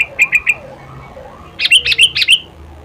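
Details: Sooty-headed bulbul in its natural voice: three short whistled pips, then a rich bubbly phrase of four rolling, fluty notes; a soft background tone sweeps low beneath.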